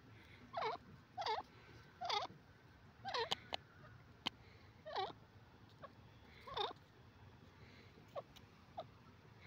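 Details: Yellow francolin, known locally as teetar, repeating short harsh calls at roughly one-second intervals, each a rasping descending note, fainter and set against steady low background noise with a few clicks.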